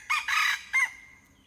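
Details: Hybrid junglefowl crow heard in three loud phrases: a short opening note, a long raspy middle and a final syllable drawn into a thin fading tail.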